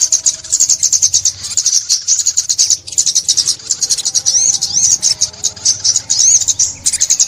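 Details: Sunbird (ốc mít) filmed in a 2021 trapping session, singing a fast, sustained stream of thin, high twittering notes with arched slurred whistles, nearly continuous with one short gap.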